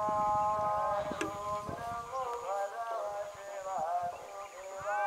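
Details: Greylag goose with several overlapping nasal, honking calls in steady chatter, some notes bending up or down in pitch, with a few sharper clicks and knocks in the background.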